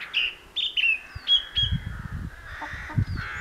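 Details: Song thrush singing in Perthshire in May 2016: a run of short, clear, high whistled notes and fluttering phrases, some repeated, over intermittent low rumbling background noise.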